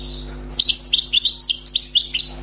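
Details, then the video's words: Newly caught wild European goldfinch singing a brisk phrase: after half a second of quiet, a rapid series of about a dozen bright, rolling twitter notes, evenly spaced and high-pitched, with a low background hum. "غناء حسون بري صيد جديد #chant chardonneret"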